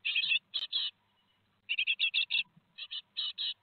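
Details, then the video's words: Great tit nestlings two days before fledging, 15 July 2020, Théding: harsh buzzy chirps in short bursts of two to four, with pauses between groups. "2 jours avant l'envol - 15/07/2020 - Les Mésanges Charbonnières de Théding"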